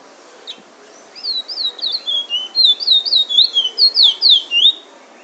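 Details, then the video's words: Bullfinch in Trinidad singing the drawl and wheet drawl style: a quick run of bright slurred whistles, rising and falling, about four notes per second, starting after a soft opening note and continuing for roughly four seconds. "Bullfinch singing drawl and wheet drawl"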